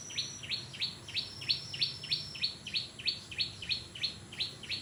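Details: Orange-spotted bulbul singing energetically, with a rapid, even series of high, rising notes, each a quick upward sweep, about three per second, over low background noise.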